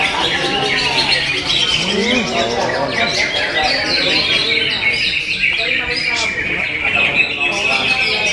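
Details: Greater green leafbird pouring out a busy, varied song of quick twitters and squeaky notes, mixed with a man's voice talking underneath, louder at the start.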